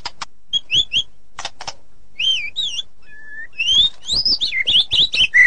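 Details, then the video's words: Rich song of a white-rumped shama: sharp clicks and high sweeping whistles, a short pause, one flat whistle, then a fast tumbling series of bright rising-and-falling whistled notes. "Murai ngeplong dan ngeroll super rapet"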